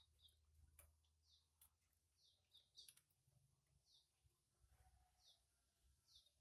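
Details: Canary mother feeding her chick twice; short, high, downward-sweeping chirps repeat about once a second, faint against a low background hum and occasional clicks.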